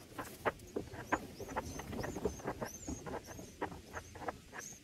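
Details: Red bulbul chicks in a nest being fed by a parent bringing black berries and a moth on day one of nest watching; thin, high upslurred chirps repeat rapidly over soft clicks and rustling.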